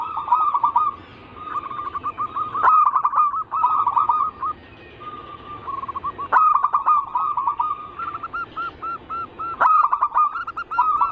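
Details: Cooing of zebra doves used as a lure, anggungan style: repeated phrases of quick, rolling coos, each led by a click, with short gaps and gentler trailing coos between phrases.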